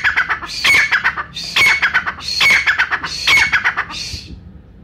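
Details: Brown francolin of Pakistan, recorded for hunters, calling in four raspy, shrill phrases spaced just under a second apart. A final thinner note trails off at the end.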